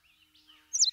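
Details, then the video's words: A yellow warbler gives a faint high whistle, then a bright, loud, slurred burst of sweet high notes at the very end. "Yellow Warbler – Voice of the Wild"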